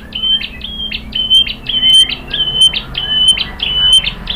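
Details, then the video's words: Shama phrase meant to provoke rival shamas into song: a bright, steady whistled note repeated roughly twice a second at the same high pitch, each note opened by a short sharp chip. "OCEHAN MURAI BATU Untuk Merangsang BUNYI jadi NYAUT GACOR"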